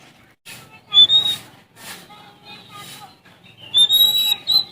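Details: Sumatran Oriental magpie-robin singing to challenge rivals: two loud bursts of clear whistled notes with quick slurs, separated by quieter, murmuring sounds in the background.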